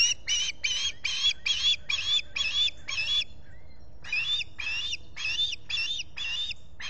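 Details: Osprey at the Salt Point nest, Finger Lakes, US, on a July 2021 morning with a visitor present. Rapid series of loud whistled chirps, about two per second, pausing briefly midway before resuming. Solar-powered nest camera recording.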